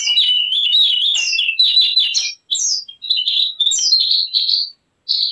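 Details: Javan grey-throated white-eye singing for use as a lure or training sound, giving a continuous high warble of fluttering, slurred notes and sweeping whistles with a few brief pauses.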